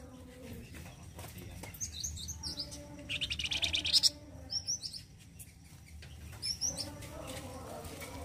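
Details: Flamboyan bird in loud rough 'gacor kasar' song for training other birds: scattered high chirps and whistles around a fast run of sharp repeated notes, over steady low background hum.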